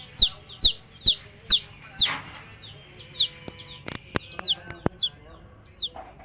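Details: Coloured baby chicks chirping with sharp falling high peeps in quick regular series, then scattered peeps mixed with sharp clicks and tapping sounds.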